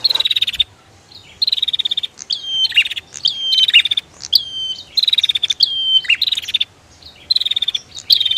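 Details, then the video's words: Rapid back-and-forth of female and male Bar-winged prinia: loud buzzy rattles alternate with high falling whistles, packed densely across most of the stretch after a brief quiet start. "Suara Prenjak betina VS Prenjak Jantan"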